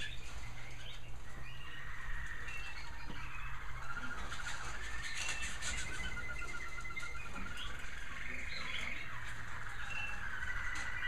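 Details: Several American Singer canaries sing at once in a bird room in the evening, overlapping bright chirps and rolling trills that run on without pause, over a steady low mechanical hum.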